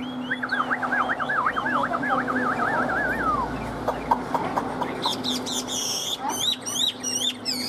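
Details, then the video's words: Pet Chinese hwamei, said to be in heated singing form, makes a long wavering warbled trill, then sharp clicking notes and a burst of high rapid whistles near the end, with a steady low hum behind. "chim đang vào lửa | Họat Họa Mi"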